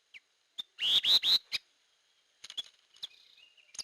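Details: Lure call of a hair-crested drongo: a burst of three loud, rising, slurred notes with rasping edges, framed by sharp isolated chips and followed by soft chatter and scattered clicks.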